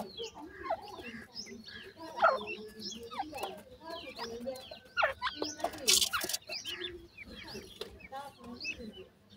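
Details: Chicks of captive francolins keep up steady high cheeps at feeding time, many birds calling at once with short sliding notes, among knocks, clatter and a brief loud rustle.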